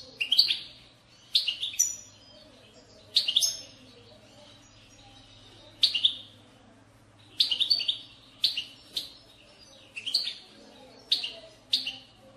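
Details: Goldfinch bitbita, a European goldfinch chatter played to prompt singing. Irregular bursts of bright, buzzy-edged high notes recur every one to two seconds over a noticeable low electrical hum.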